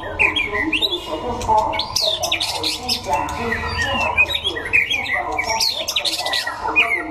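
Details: White-rumped shama (chòe lửa) from Đắk Lắk, Vietnam, singing in a contest: a dense run of loud, varied whistles, slurs and rapid trills, mostly high-pitched and almost continuous, with voices and other chatter underneath.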